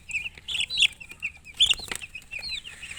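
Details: Chicks chirping: bright, high, slurred peeps, some loud and close and others softer, in irregular clusters with small knocks between them.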